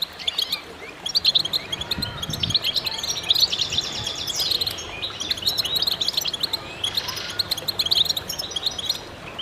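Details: Chorus of many goldfinches singing together: dense, overlapping high twittering and tinkling notes with buzzy trills running through the whole stretch, a few louder bright phrases near the middle and end, and faint low rumble beneath.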